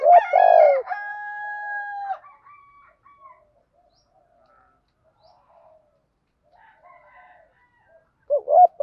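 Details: Thổ-style urging coos of spotted doves, played to prompt caged birds that have long stopped calling; a strong deep coo opens, followed by a held tonal note with harmonics, faint murmurs, and another loud coo at the end.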